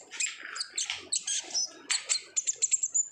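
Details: Olive-backed sunbird in 'gacor ngobra' style, a lure meant to get other sunbirds singing; high sweeping twitters, then a quick run of about six sharp, thin repeated notes at the end.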